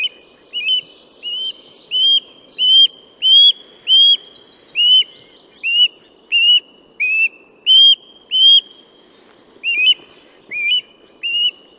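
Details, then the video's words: Osprey (Pandion haliaetus) giving a run of loud, high whistled notes, each sharply rising, about one and a half per second, over a faint low rumble. "Águila pescadora (Pandion haliaetus) Canto"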